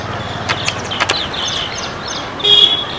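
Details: A tree full of Asian green bee-eaters (Merops orientalis) in a Gurugram neighbourhood, with up to 20 birds seen, give loud peeps: short, high, buzzy chirps, then a longer thin trilled note, over distant traffic hum.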